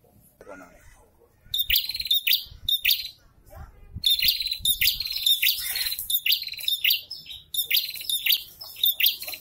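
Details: Prinia pair in breeding condition, male and female calling back and forth: bursts of bright, high chirping and sharp twittered notes, some repeated in quick clusters, with short pauses between phrases.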